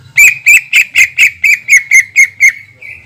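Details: Greater green leafbird, kept as a lure bird to provoke rival leafbirds, gives a long 'tembakan' burst: about eleven sharp, loud notes near two seconds apart in rhythm, spaced a quarter second, ending in a drawn-out steady whistle.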